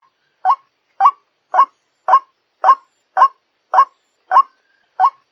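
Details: White-breasted waterhen call played as a lure, a series of short harsh croaking notes repeated evenly about twice a second, nine notes in a row with silence between them.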